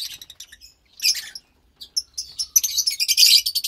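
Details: Two captive pastel lovebird chicks making scratchy chattering calls, a brief pause, then rising into a continuous loud rasping chatter.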